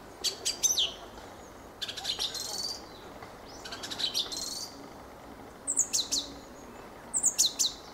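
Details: Fieldfare singing a series of scratchy, twittering phrases, each a quick jumble of squeaks and slurred whistles, several phrases in eight seconds with short gaps between them.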